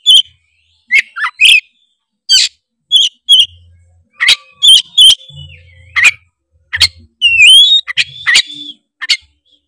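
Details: Oriental magpie-robin from Tretes singing energetically to trigger rival birds: dense run of sharp chirps and clicks, a descending whistle, and a loud upward-sweeping whistled phrase, mostly high-pitched and rapid.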